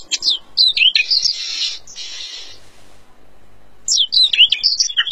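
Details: Oriental magpie-robin without feathers in full lively song: sharp high whistled notes and chirps lead into a rasping buzzy stretch, then a brief lull before bright varied whistles and twitters resume.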